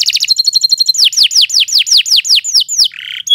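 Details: Canary song phrase: fast chattering notes, a short run of level whistles, then about ten loud descending whistled sweeps repeated evenly, ending with a buzzy note.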